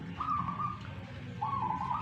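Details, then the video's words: Local wild-type zebra dove from Tuban, East Java, singing in a dueling bout: two soft, steady mid-pitched coos with a slight quaver, set against strong low rumbling background noise. "PERKUTUT LOKAL ALAMM TUBAN JAWA TIMUR.LAGI TARUNG"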